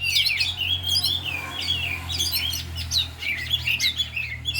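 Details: Oriental magpie-robins, four birds all in song during afternoon training, unloading their learned fill-in repertoire: a steady stream of sweeping whistles, chattering trills and high buzzy notes layered from several singers, over a soft low hum.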